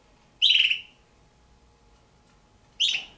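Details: Pair of juvenile red-billed hornbills kept at home, perhaps of the Damaraland race, giving two rasping, buzzy calls roughly two seconds apart, each strong at the start and trailing off, against low steady background hum.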